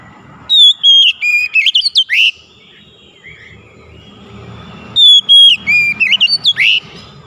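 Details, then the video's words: Oriental magpie-robin, known locally as kacer, in a bout of loud whistled song: two phrases about four seconds apart, each opening with a clear high whistle and then quick varied chirping notes that rise and fall. "KACER MACET BUNYI CEPAT KELUAR SUARA GACOR"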